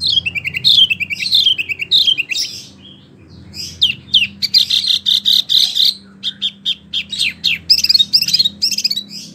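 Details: Small wambi kept in care singing continuously, fast chattering chirps and whistled slurs in dense bursts with one short gap, low hum in the background.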